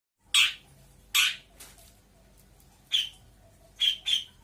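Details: Long-tailed shrike, a local Lampung bird from Indonesia, giving five harsh, rasping squawks in uneven bursts, two close together at the start, a pause, then three more near the end, with a quiet background.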